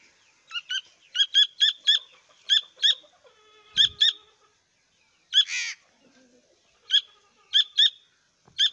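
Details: Grey francolin chicks giving high, thin peeping chirps in quick bursts of two to four, with short pauses between bursts, and a brief low thump partway through.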